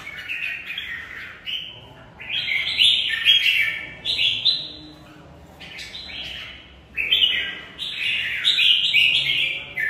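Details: Caged red-whiskered bulbul in a singing duel, pouring out repeated loud chirpy warbles in clusters, pausing briefly between groups of phrases, with a little room noise.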